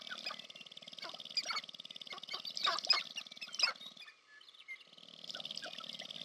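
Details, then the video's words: Courtship display of sharp-tailed grouse on the prairie of American Prairie Reserve, Montana, USA: rapid low drumming rattle under clustered sharp clucks and cackles, a brief quiet break near the end, then the rattle returns. "Sharp-tailed Grouse Courtship Display"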